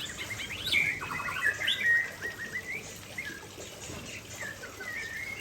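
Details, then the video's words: Shama song by a waterfall: an energetic burst of sharp upswept notes and fast stuttered trills in the first two seconds, then softer drawn-out whistles, all over a continuous water roar. "Murai Aceh Gacor dekat Air Terjun"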